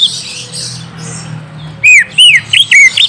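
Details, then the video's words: Lure song for a young orange-spotted bulbul, meant to draw a quick reply: after a quiet start, four loud whistled notes, arching and falling, sounded in fast succession, with a faint low hum beneath. "Pancing cucak ijo bakalan / mh langsung nyaut bunyi"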